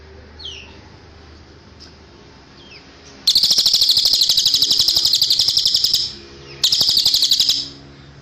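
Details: Cililin song in a bird-training recording: a few faint thin whistles, then a dense, rapid high-pitched trill of quickly repeated notes for nearly three seconds, a short pause, and another trill burst of about one second.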